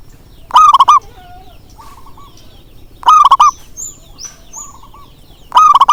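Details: Zebra dove calling to coax reluctant birds into song: bold trilling coos repeat every few seconds, alternating with softer distant coos and high thin whistles.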